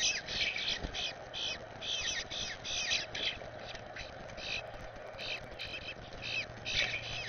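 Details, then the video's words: Eastern bluebird fledgling from a first clutch of four, visiting a yard with its parents and being fed, giving dense, continuous high chattering and twittering notes against steady background noise. "Eastern Bluebirds - baby getting fed"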